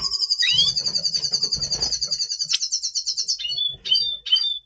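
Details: Red siskin, double pastel form, in breeding condition before nesting, November 2023: long rapid buzzy trill held for about three seconds, then a few clipped chirps, low indoor hum underneath.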